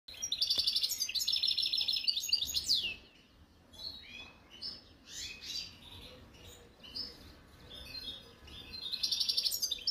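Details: European goldfinch of the wild-type khalwi kind, recorded in 2022: loud, fast twittering song bursts with tinkling trills and buzzy notes, strong at the start, softer scattered phrases in the middle, and another bright burst at the end.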